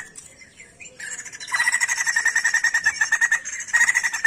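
A songbird opens with a few thin whistles, then breaks into a fast, harsh, chattering run of rasping notes, several per second, with no other sounds.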